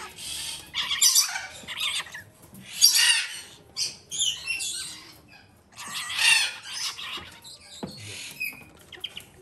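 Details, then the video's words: Galah chick, a female hand-fed two to three times a day, utters irregular bursts of coarse, hissing begging squawks, interspersed with brief quiet spells and faint clicks. "モモイロインコ 雛へのさし餌"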